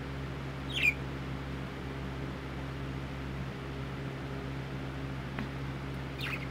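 A parakeet gives a few short, sharp chirps, one early and two near the end, over a steady low indoor hum.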